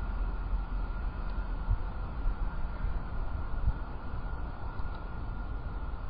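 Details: A steady low rumble, like wind or distant traffic, fills the recording, with no calls from the peregrine falcons or any other animal.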